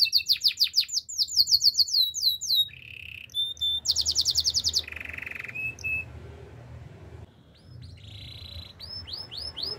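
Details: Canary song mixing fast falling chirps, short buzzy trills and long rolling tours, ending with slower rising whistled notes, with faint low background hum.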